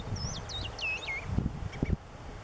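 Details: Long-tailed meadowlark singing at the outer edge of Laguna Nimez reserve, El Calafate, Santa Cruz, in April, among males, females, adults and an immature: a run of clear looping whistled notes falling in pitch, then brief chips, with low thumps and wind.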